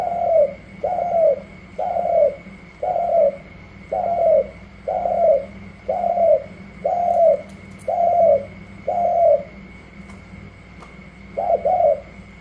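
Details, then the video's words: Recently caught wild spotted dove competing with another dove: a long run of ten regular, medium-low coos, each falling slightly, about one per second, a brief gap, then a doubled coo; faint clicks and a steady high tone behind. "Chiến rừng mới về thử sức mây tàu & gù la"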